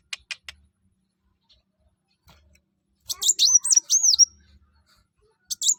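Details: Sunbird (mucang, kuwul or kolibri wulung) singing in form to get other birds going: a few isolated sharp clicks, then a brief phrase of high, bending, downslurred whistles, and another click at the end.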